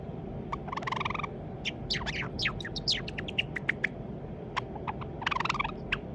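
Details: Pet white Java sparrow, probably a young male raised from a chick, rehearsing song: buzzy rattles at the start and near the end frame a busy stretch of sharp sliding chirps and clicks, over constant low room noise.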